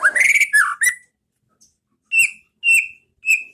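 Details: Murai batu, the white-rumped shama, in training song of the 'pastol ngeplong' style for teaching caged birds: a rich, warbled opening phrase with sliding whistles, a silence, then three clear whistled notes spaced about half a second apart.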